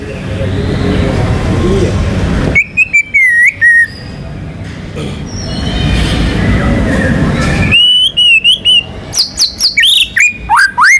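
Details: White-rumped shama, a national contest champion, bursting into clicky upswept whistles and a wavering phrase after a stretch of background noise, then a fast series of sharp notes and rising swoops.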